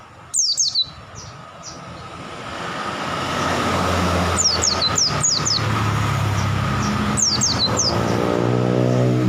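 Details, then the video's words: Wild-caught oriental white-eye giving brief groups of thin, falling high whistles, first loud, then quieter phrases partly covered by a rising engine and traffic drone. "BURUNG PLECI NGALAS SAMPE BUKPAR GACOR"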